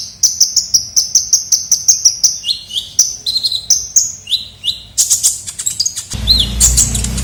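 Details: Kolibri ninja sunbird used as a lure sound: steady series of high, clipped tweets about four per second, then slurred upward twitters, ending in a louder burst of excited chattering over sudden broadband noise.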